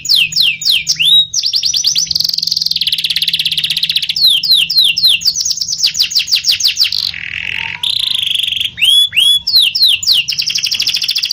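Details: Canary (kenari) singing vigorously in ngerol nembak style: fast rolling trills of rapidly repeated downslurred notes, sustained buzzy rolls and sharp piercing phrases, with a steady low hum in the background.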